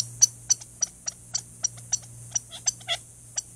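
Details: A male Gambel's quail, hidden in a chaparral thicket by a desert watering hole near Tucson, Arizona, sounds its alarm at a Cooper's Hawk: sharp high clicking chips in an uneven volley of three or four a second, over a low hum.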